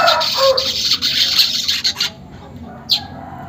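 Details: Weaver song played to prompt caged weavers to start singing quickly: two seconds of dense, sizzling, buzzy chatter in rapid bursts, then near quiet with one short high chip near the end.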